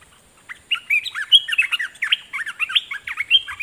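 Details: Decoy red-whiskered bulbul singing at wild birds from its cage: a lively, continuous stream of slurred, warbled whistles, rising and falling rapidly, with a few sharper high notes, against a clean, quiet background.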